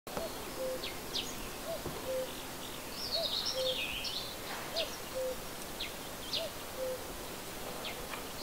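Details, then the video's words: A cuckoo near a tree repeats its low two-note "cu-coo", the second note dropping, about every second and a half, over higher chirps from other small birds. "cuckoo calling"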